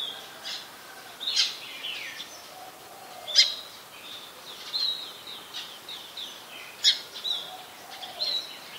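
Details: Brown-throated sunbird in Ubon Ratchathani, Thailand, on 15 January 2021, recorded with a Nikon P1000: sharp, high chipped notes and short thin slurred phrases recur irregularly, several loud strikes a few seconds apart, over a soft rural background hiss.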